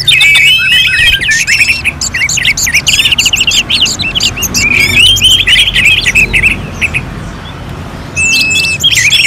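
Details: Orange-headed thrush in contest-simulation style: fast chattering and warbled whistles for about five seconds, then a quieter stretch, then another brief whistled burst near the end. A low hum underlies the song.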